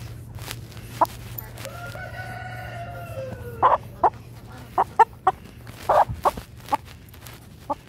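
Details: A Brahma rooster during an attack, giving a drawn-out falling harmonic call followed by a run of short, sharp clucking bursts, with low steady hum underneath.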